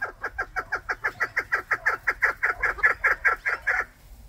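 A chukar gives a fast, steady series of harsh, clucking chuk notes, about five a second for four seconds, each dropping in pitch. No other sounds.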